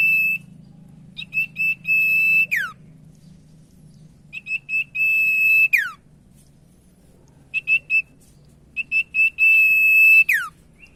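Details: Common iora song as a lure to prompt quiet ioras into singing: four phrases, each a few short high whistles, then a long level whistle ending in a steep downward slide.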